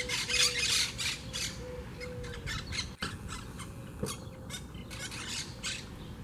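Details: Wild monk (Quaker) parakeets at a huge colonial twig nest in a palm tree by the beach in Southwest Florida give harsh, grating squawks in rapid, uneven bursts, several birds calling over one another, over a low hum.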